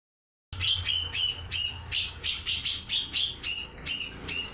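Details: Grey-cheeked bulbul (cucak jenggot) singing a steady series of bright, high, slurred whistled notes, about three per second, each with a slight downward sweep.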